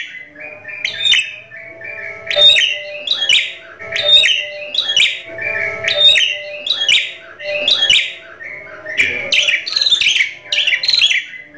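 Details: A captive Javan myna in full song, its odd sounds mistaken for editing: harsh clicks, squeaks and bright whistles, varied mimicked phrases repeated every second or so over a faint steady hum.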